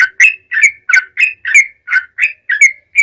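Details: Lively yellow-vented bulbul song used as a lure to get other bulbuls singing: a steady run of short, bubbly chirped notes, each with a quick rising-falling slur, about three per second, clean with no background.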